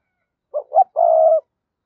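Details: Spotted dove cooing: two short, low, hollow coos followed by one longer, steady coo, in quiet surroundings.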